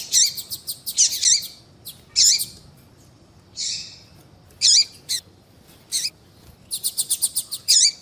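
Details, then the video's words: A female yellow-bellied seedeater calls to rouse males, giving high-pitched, scratchy chips in bursts, some as rapid stuttering series, separated by short silences. "fêmea de papa capim chamando"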